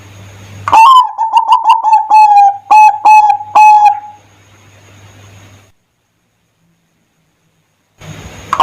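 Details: Zebra dove song meant as a lure to set other doves singing: a burst of fast short coos easing into slower, evenly spaced notes, then a fading tail and quiet.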